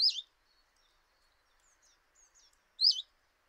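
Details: Common chiffchaff calling at a kitchen window in Eibar in early March 2018: two short, high, bright wavering notes about three seconds apart, with faint high chirps and quiet background between them.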